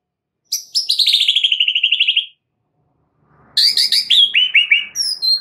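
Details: Oriental magpie-robin master song for training caged birds: a long, high, fast trill falling gradually in pitch, then after a pause a series of descending stuttered high notes.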